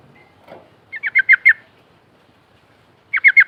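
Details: Yellow-vented bulbul lure call for an untamed bird: a short run of five clipped, downslurred chirps, a pause, then three more in quick succession, against a quiet background.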